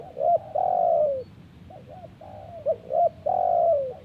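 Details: Spotted dove cooing in response to wild birds; soft, low coos in repeated phrases of quick short notes ending in a longer sustained, downslurred coo, heard twice in quick succession.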